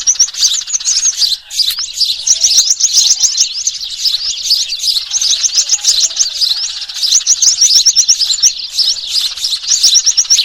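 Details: A noisy flock of Eurasian tree sparrows, possibly mixed with other small birds, chirps nonstop in dense, overlapping high cheeps and twitters with no pauses, recorded 3 June 2023 as a bird-trapping lure.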